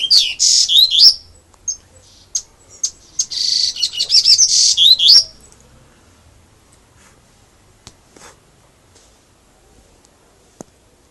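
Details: Song of a caged double-collared seedeater in the 'grego' style, opening with a buzzy high trill, scattered single chips, a long twittering phrase with whistled slurs, then silence broken by faint clicks.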